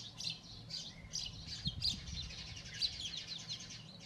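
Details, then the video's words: Sparrows at the nest, a male between two females: loud, dense, rapid high chirps overlapping continuously, some sharp single notes standing out, with a low background hum. "Sparrows Chirping on Nest"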